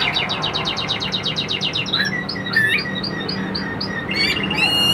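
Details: A caged Chinese hwamei, said to be around 85% tame and not yet in peak condition, runs a fast even trill. Spaced high whistled notes and a brief bright slur follow over low background noise.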